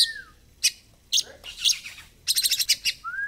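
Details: Oriental magpie-robin song, used as a lure to make a bird open its tail: a slurred falling whistle, sharp high chips, then a quick run of bright ringing notes, closing on a rising whistle.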